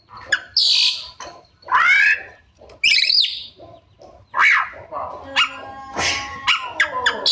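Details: Caged white-rumped shama, described as a lively singer full of mimicked 'isian' phrases, giving loud, varied bursts: rising whistled sweeps, harsh squeaky notes and rapid high chips, separated by short pauses.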